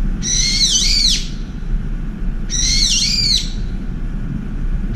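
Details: One of two brown-eared bulbuls at a window feeder, angry after being chased off by a turtle dove, drives the dove away with two loud, harsh, screeching shrieks about two seconds apart, over a low steady rumble.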